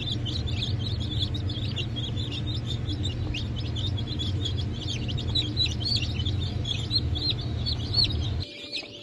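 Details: Newly hatched Brahma and Wyandotte chicks from a 4 August 2024 hatch keep up a dense run of high, quick peeps over a low hum. The sound drops off abruptly near the end.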